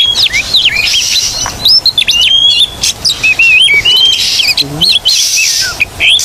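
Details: White-rumped shama song used as training to make silent birds sing: a varied stream of whistled, looping and chattering phrases, loud against a constant heavy background hiss.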